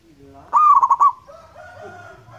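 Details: Local wild zebra dove, used as a lure recording: one loud cooing phrase, a rising note followed by four or five quick pulsed coos, followed by fainter, lower-pitched background sounds.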